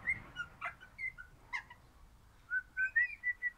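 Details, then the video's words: Singing crimson rosella kept as a happy pet parrot, described as orange: a string of mellow, fluting whistles, each note short and slightly rising or falling, delivered in an uneven steady patter, with a few rasping clicks between. "Happy Parrot Crimson Rossela Pennant Orange Singing"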